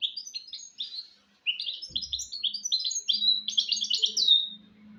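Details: Goldfinch × canary hybrid (mule) singing, a recording meant to teach goldfinches and canaries to sing: rapid twittering phrases of chirps and trills, then a pause and a denser run of warbled notes ending in a drawn-out whistle, with a faint low hum.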